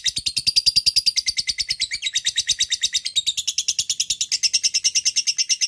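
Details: Lovebird in long ngekek chatter, meant to lure a rival: an unbroken, very rapid, high-pitched rattle of sharp notes, steady in loudness for nearly six seconds.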